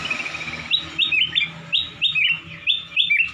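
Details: Black-crested bulbul, also called cucak kuning or kutilang emas, singing a somewhat monotonous but melodious, crystal-clear song used to tutor white-rumped shamas: short clear whistled upslurred notes repeated about twice a second over a low hum.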